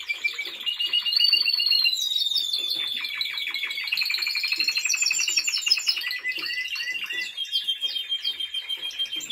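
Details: Timbrado Español canary in training pours out an unbroken series of rapid metallic trills, gliding gradually downward in pitch, followed by looser clicking notes and short whistled slurs.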